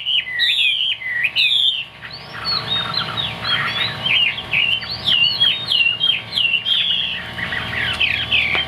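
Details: Caged Chinese hwamei, a big-bodied bird with a fig-leaf tail, singing high on its perch: loud whistled phrases that swoop up and down and repeat quickly without a break, with a steady low hum underneath.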